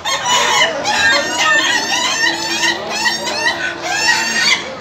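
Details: Several laughing chickens at an Indonesian contest final, crowing in a continuous overlapping stream of quick, bright, laugh-like stutters, with a steady background hum of people.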